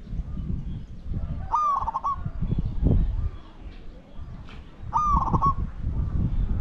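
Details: Spotted dove coo during decoy luring of wild doves: two brief, broken, rolling phrases about three seconds apart, partly masked by strong low-pitched rumbling and thumps.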